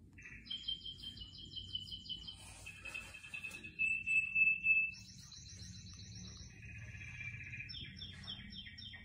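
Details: Canary song heard among houseplants, fast pulsed trills changing pitch every second or two, a loud clear whistled roll near the middle, then higher rattling tours and descending chopped notes, over a soft low background hum.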